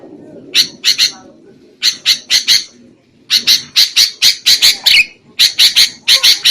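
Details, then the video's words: Sooty-headed bulbul used as a trapping lure: harsh rasping notes in groups of two to four, then a long fast run of scratchy chatter, with a faint low rumble in the background. "SUARA PIKAT BURUNG KUTILANG"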